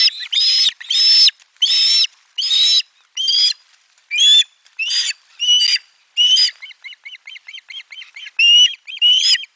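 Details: Osprey at its nest during a lunchtime fish delivery, 12 July 2022, nest camera 4: loud, high, harmonic chirps in a steady series, then a quick run of shorter clipped notes near the end.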